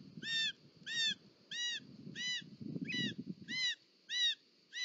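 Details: At a nest in Catalonia's Parc Natural dels Ports, 18 July 2024, a female short-toed snake eagle brings a snake. She gives a steady series of ringing, slightly bent whistles, roughly two per second, over low rustling noise that fades near the end.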